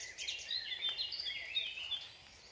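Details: Nine-day-old song thrush chicks in the nest give a faint, high, thin chorus of overlapping squeaky cheeps that runs without pause, over a soft background hiss.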